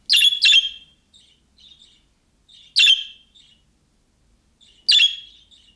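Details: Budgerigar calling to make other budgies respond: a quick pair of rasping chirps, then softer twittering notes and single loud scratchy chirps spaced about two seconds apart.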